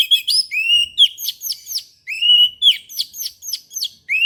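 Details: An orange-headed thrush sings in the morning with a continuous flow of clear rising and falling whistles and quick downslurred notes, rich and varied, with no pauses.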